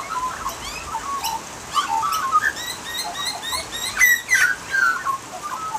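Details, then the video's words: Australian magpie song during rain, a rich run of fluting, gurgling warbles mixed with quick rising high chirps, dense and varied, ending in bright swooping whistled notes, with steady rainfall behind. "Nonstop Australian Magpie Sounds and Calls | Unbelievable Magpie Singing!"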